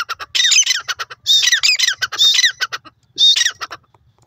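A male francolin gives loud, harsh, grating squawks in four rapid bursts over about four seconds, each a quick run of rasping notes, with no other sounds.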